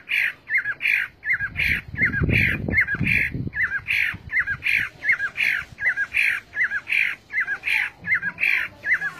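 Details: Chinese hwamei singing a steady series of short, clear, hooked notes, repeated rhythmically about twice per second. A low rumbling noise sounds briefly early on.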